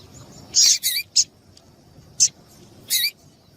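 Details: Female double-collared seedeater calling, a call used to stir a male into singing: a few short, sharp, high chirps, some paired, spaced irregularly over a few seconds against a faint low background hiss.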